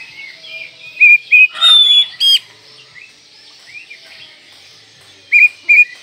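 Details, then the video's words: Oriental magpie-robin in manjur style, a song used to teach kept birds morning, noon and night: paired bright whistles, a long high whistle with a harsh buzzy note, a quiet stretch of soft chatter, then two more whistled notes. "Masteran Kacer Manjur Pagi Siang Malam"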